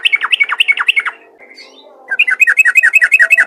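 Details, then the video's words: Rapid ropel song of a lively yellow-vented bulbul, meant to prompt other bulbuls to sing. Two quick strings of sharp, descending chirps about eight per second are split by a brief pause. A faint steady hum sits underneath. "burung trucukan ropel gacor untuk memancing trucukan lain agar rajin bunyi"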